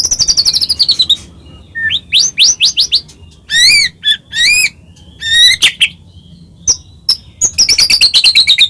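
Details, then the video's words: Medan-type white-rumped shama in full song, used to provoke other shamas into singing: rapid high chips, then sweeping upslurred whistles, arched notes and sharp clicks, ending in a fast falling trill. "murai batu gacor AMPUH buat PANCINGAN murai batu agar bunyi JADIKAN burung murai gacor EMOSI"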